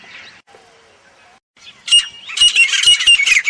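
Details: In the jungle, a grey francolin starts after a faint, quiet opening. A sudden loud burst of shrill, rasping, closely packed notes fills the final second and a half.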